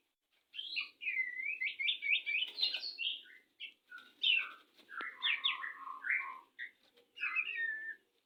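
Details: Captive-bred white-rumped shama courting ahead of mating: a rapid series of looping whistled phrases, then sharper clipped notes and rich warbles in several bursts with brief pauses, bright and varied.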